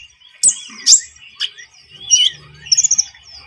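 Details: Javan munia calling as a lure for bird trapping: a few loud, sharp high chirps and a downslurred whistle, ending in a quick rippling trill over faint high twittering.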